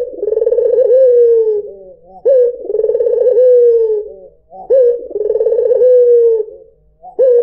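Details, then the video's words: Puter putih, a white dove, cooing to lure other birds: three long, mellow rolling phrases with short quiet gaps, each beginning with a quick upswept note and ending in a soft downward glide. "PANCINGAN SUARA BURUNG PUTER PUTIH || SUARA BURUNG PUTER MERDU"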